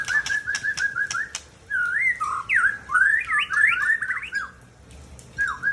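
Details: Mature male Aceh white-rumped shama from Tangse, Indonesia: a pulsed whistled trill mixed with sharp clicks, then an energetic jumble of twisting, looping whistles swinging up and down in pitch.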